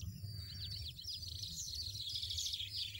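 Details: European goldfinch in the wild pouring out a dense, high, tinkling twitter of rapid chirps without pause, with low background rumble beneath.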